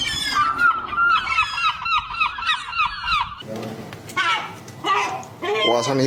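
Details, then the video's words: Seagulls laughing in a fast, steady series of sharp, nasal notes for about three seconds, then scattered harsh cries against background noise. "Be laughed at by seagulls"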